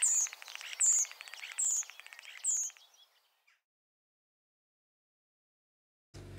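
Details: Common starling in Ireland, a mimic copying other species' songs to enlarge its repertoire: a high, busy jumble of whistles, clicks and rattles with bright whistled notes about once a second, then fading.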